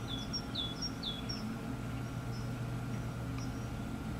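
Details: A Dunnock in a UK garden in winter gives thin, high, sliding tseep notes, four quick ones in the first second and a half, then fainter, against a steady low hum.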